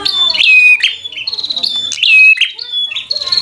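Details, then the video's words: Bar-winged prinia giving full fighter song to make rivals aggressive. Rapid, unbroken run of metallic snaps mixed with thin whistled notes that dip and rise. "Prenjak Gacor Full FIGHTER Bikin Prenjak Jadi Emosi Lawan"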